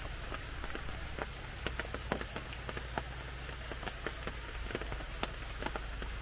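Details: At a nest in forest at the Robert S. Kennedy Bird Conservancy, Red-eared Parrotfinch chicks, fed by a parent, give thin, very high chirps in a fast, steady stream, about two a second, over a low hum and scattered clicks.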